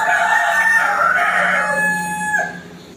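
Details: Rooster crowing as a challenge to a rival, one sustained harmonic crow held steady for over two seconds before dropping away into quiet.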